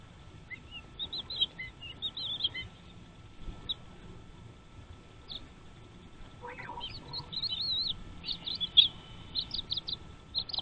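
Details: Chicks in a nest calling while parents bring them food: scattered high, squeaky chirps that swell into a busier twittering run toward the end, with one lower, harsher call in the middle and faint background rustle.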